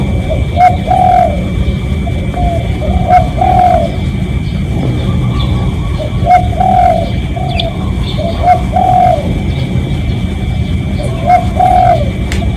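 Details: Spotted dove lure call from a real recording, meant to attract doves: paired hollow coo phrases repeated at intervals of about two to three seconds, steady low background rumble throughout.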